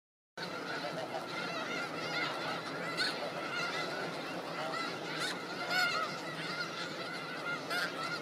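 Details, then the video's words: Snow geese grazing in farm fields of Skagit Valley give a dense, continuous chorus of overlapping nasal honks and yelps. Clearer, higher calls stand out above the crowd every second or two. "Snow geese grazing in Skagit Valley farm fields"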